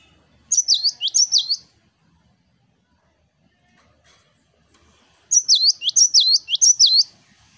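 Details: Gelatik batu (Cinereous tit) singing a vigorous 'wucit wucit' song: a short burst of high, swooping paired whistles, then nearly four seconds of quiet, then a longer, fuller run of the same sliding notes.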